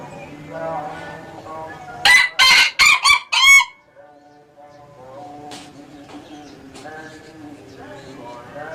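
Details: Ayam Ketawa crow given as five loud, harsh bursts in quick succession over under two seconds, like staccato laughter, followed by softer low clucking and murmuring chicken sounds.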